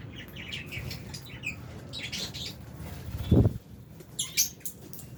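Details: Albino and Fisher's lovebirds twitter in high, quick notes while a dull thump and rustle break in midway, then chirping resumes.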